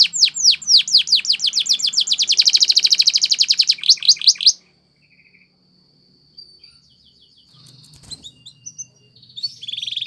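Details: Belgian canary singing a training song: a fast series of descending high whistled notes, then a rapid rolling trill for about four seconds. Near silence follows, with faint short notes and a low hum at the end.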